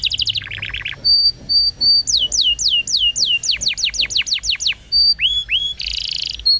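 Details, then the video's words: Canary training song meant to coax other canaries into singing: a short rattle, flat whistles, a long run of steep falling sweeps, then held whistles and a final buzzy burst. "PANCINGAN Kenari GACOR Panjang!! Kenari Ngeriwik Dan Macet Bunyi Langsung Nyaut Gacor"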